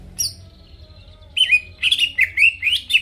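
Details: Greater green leafbird singing to make rivals respond: a high squeaky note, a thin sustained tone, then a burst of quick warbled and buzzy whistles rising and falling.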